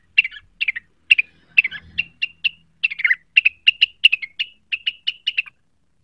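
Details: Provoked by a lure call and seeking a rival, a cucak wilis gives a steady string of sharp, clipped chirps, about three per second, some doubled or slurred.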